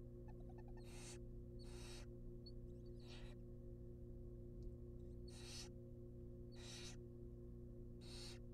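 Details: Wild barn owl nestlings in a monitored nest box, begging as they are fed a rabbit: six harsh, breathy hissing screeches roughly a second apart, each about half a second long, over a steady low electrical hum.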